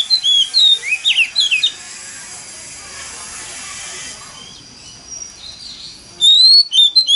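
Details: Oriental magpie-robin lure song in wild forest style to stir other magpie-robins into singing: rapid twisting whistled phrases open the passage, a stretch of hissing background follows, then bright rising whistles return at the end.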